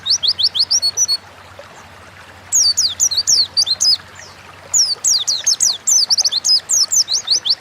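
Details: Oriental white-eye (pleci) singing in full 'gacor ngalas' style, kept as a home cage bird, used as a training lure to prompt other birds: rapid bursts of high, thin, downslurred whistles and chips, with pauses between phrases.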